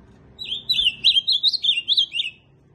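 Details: Ultramarine grosbeak song: a quick, sweet warbled phrase of about two seconds made of slurred, up-and-down notes that tumble together and fall away at the end, over a faint low background rumble.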